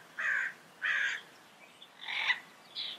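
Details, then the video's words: Yellow-headed amazon calling in loud, harsh, raspy squawks, four separate bursts with short pauses, the last one shorter and higher. "Yellow Headed Parrot Sound Bird Call"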